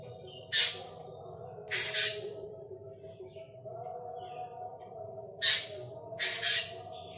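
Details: Black drongo (Kajalapatri) repeating a harsh pattern twice: one loud scratchy squawk, then a doubled squawk about a second later, the sequence recurring after a gap, with faint softer notes and a continuous low hum.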